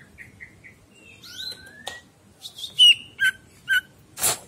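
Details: Greater green leafbird, master song for training pet birds: three soft whistled notes, then rising slurred whistles, several loud sharp chirps and a final harsh noisy burst.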